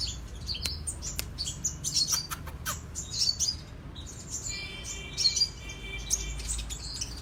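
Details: Sunbird (kolibri raja, king konin) in cetrekan song: clicks and high, thin twittering bursts, then a sustained buzzy multi-tone trill toward the end.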